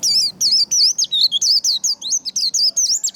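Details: Continuous fast string of high, looping, whistled notes from a white-eye singing 'líu đấu', the fighting-style 'líu' song used to excite and train birds to sing, with barely any pause throughout.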